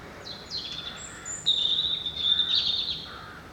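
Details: Dawn song of an unidentified bird outside a window: short high chirps lead into a long, sustained, shimmering high trill lasting about a second and a half, followed by a lower twitter, over steady faint background hiss.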